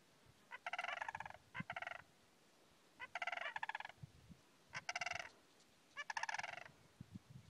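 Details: Greater sandhill crane (Antigone canadensis tabida) at a wildlife refuge in Alturas, California, gives loud, rolling, rattling bugles: four trilled, resonant bursts about one and a half seconds apart, with faint low thumps underneath.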